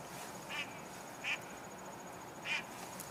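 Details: Mallard in flight, heard but not seen: three short, nasal quacks spaced irregularly about a second apart, over a steady background hiss with a thin high whine.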